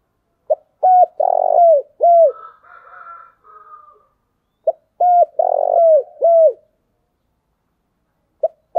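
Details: Spotted dove decoy call for luring other doves: two full four-part phrases of short note, level coo, rough falling coo and curved final coo, separated by soft quiet cooing, with a note beginning at the end.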